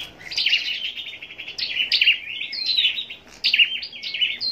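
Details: Caged scarlet-backed flowerpecker, a captive-raised bird kept for singing contests, giving high thin twittering song: quick chipped and trilled notes in bursts about a second long, separated by short pauses.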